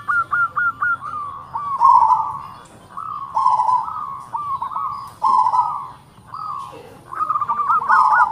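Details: Local zebra dove song with close-set notes and a strong voice: several quick clipped notes lead into swelling rolling coos, the phrase repeated about every one to two seconds, with soft clicks in the background.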